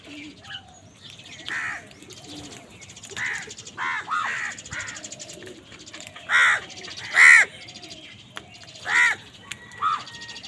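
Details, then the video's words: Harsh caws from an angry crow squabbling with wild birds for food, starting soft and growing louder, irregularly spaced with some in quick pairs, over a low background of faint chirping. "Angry kawa ki awaaz"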